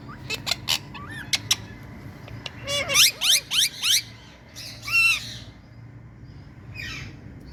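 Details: Harsh squawks from Indian ringneck parrots: a quick string of about five loud, rasping, downward-bending calls, then a single long screech, with clicks before and a low indoor hum throughout.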